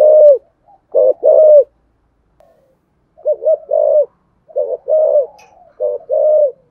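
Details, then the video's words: Spotted dove cooing in the 'giọng thổ sấm' (deep thunder voice) style, a full song ending with the 'gọi hai hậu' two-note tail; four phrases of low, mellow coos in clusters of two or three, separated by brief silences, quiet background. "cu gáy giọng thổ sấm bài bản đủ bài hay gáy gọi hai hậu"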